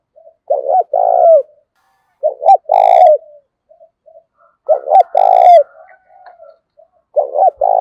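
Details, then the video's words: Decoy spotted dove, a bird whose voice is described as thổ sấm style, giving repeated low coos: a short doubled note, then a longer vibrating note falling away. Four phrases are heard, with faint higher chirps over two of them. "Chim Cu Mồi, cu gay kich boi nhanh noi gù, mở lên cái bổi gáy gù cả ngày"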